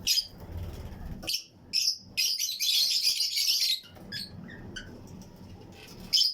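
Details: Fischer's and lutino lovebirds, pairs housed together in a colony flight cage for breeding, chirp alongside other birds: scattered high squeaky notes, then a long burst of rapid shrill chatter, then single sharp chirps again.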